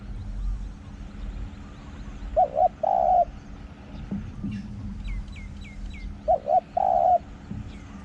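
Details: Spotted dove used for decoy luring near forest in Thailand, cooing twice about four seconds apart, each phrase two short wavering notes and a longer coo; a small bird gives four quick high descending whistles between them.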